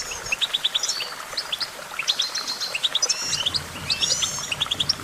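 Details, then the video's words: Goldfinch song: rapid twittering chirps and short trilled phrases, high and bright, with several birds overlapping in a busy chorus and slurred whistles woven through. "Vocal virtuoso: activating enhancing your goldfinch songbird prowess"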